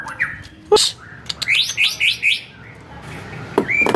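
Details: Male white-rumped shama kept at home, singing a quick series of bright rising whistled notes, four or five in a row, broken by sharp clicks and a short sliding whistle at the end.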